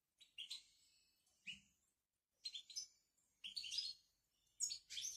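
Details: European goldfinch from Morocco giving bitbita twitter song: quick tinkling chirps and rolling trills in short bursts, pauses of about a second between phrases, the final bursts denser and louder.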